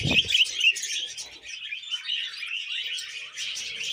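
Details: Pet budgerigars chirp and warble in a quick, overlapping high twitter with a few clear squeaky whistles, after a brief low thump at the start.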